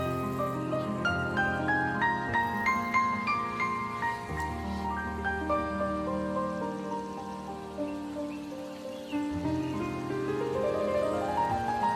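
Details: Gentle instrumental music with sustained harmonic chords and soft plucked notes, with no animal voices audible.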